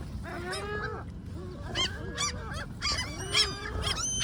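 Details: Great black-backed gulls give harsh, nasal, wavering complaining cries in overlapping bursts, about two a second, rising and falling in pitch, over low rumble, while a silent sparrow moves among them.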